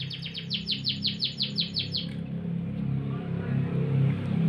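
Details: Canary singing in the morning: a quick series of about nine bright, downward-sweeping whistled notes over the first two seconds, then the song stops, leaving a steady low hum of background noise.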